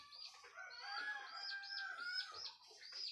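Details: Rooster crowing as morning approaches, a drawn-out harmonic call heard at moderate distance, overlapped by repeated high looping chirps of small birds throughout.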